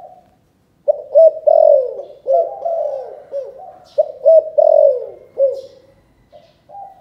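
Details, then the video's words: Spotted dove calling in the chụp chụp ô style, Cần Thơ, Vietnam: deep repeated coo phrases, each of stuttering throaty notes and a strong falling coo, followed by softer hoots, heard clearly with little background. "Chụp chụp ô gáy gọi Thái Vân hoa : Cu gáy Cần Thơ"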